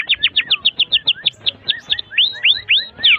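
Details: Canary song for training young canaries, built from a series of quick downslurred whistled notes, several per second, shifting to rising slurred notes near the end.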